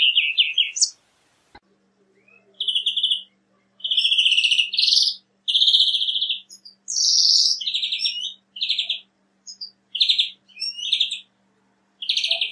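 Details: European greenfinch (Chloris chloris) singing in nature, delivering a string of buzzy, trilled phrases of varying pitch with short gaps, over a faint steady low hum.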